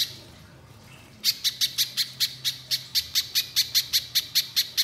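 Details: Orange-bellied leafbird song, the bird in full voice with a long outburst: after a second of quiet, a rapid series of sharp, high chattering notes, about six per second, steady and loud to the end.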